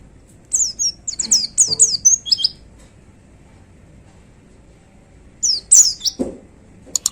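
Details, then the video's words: Caged white-eye in full song, delivering its fierce 'tembakan' shooting style from a hanging cage: two bursts of very high, rapid, twittering chirps, the first about two seconds long, the second shorter after a quiet gap. "Suara Tembakan Dahsyat Pleci Gacor Paling Digemari Para Plecimania Digantangan"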